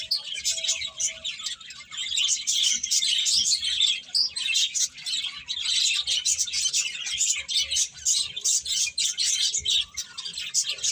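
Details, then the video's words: Birds chirping in a dense, continuous chorus of high, overlapping twitters and tweets that rise and fall in intensity without a break. "Cute Birds Chirping Sounds"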